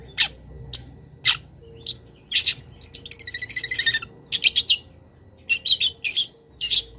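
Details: Master recording of long-tailed shrike song packed with imitated wild birds: scattered single high chips, then a busy stretch of rapid twittering with a falling buzzy phrase, ending in clustered sharp notes.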